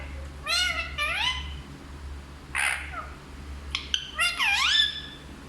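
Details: Talking parrot that speaks Hindi: a few harmonic, voice-like syllables that rise and fall, then a hoarse burst, a couple of clicks and a final swooping phrase, over a steady low hum.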